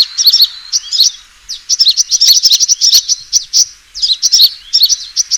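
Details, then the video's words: Sunbird fighting call used to lure birds: clusters of sharp, high twitters and ticks with short pauses, building into fast chattering runs in the middle. "suara pikat burung kolibri tarung"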